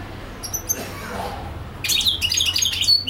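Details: A European goldfinch that sang non-stop for a few hours gives a quick, bright run of tinkling twitters and high buzzy notes, rising in strength after a faint start.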